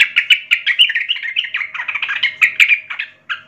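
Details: Young wild Sooty-headed Bulbul in full, active song: a fast, continuous chatter of bubbly, slurred, warbling notes with sharp clicks mixed in, rolling on without pause.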